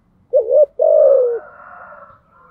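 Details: Spotted dove cooing in the thúc gù style: a short warbled double note, then a long, low, slightly falling coo. A fainter, higher rasping sound trails after it.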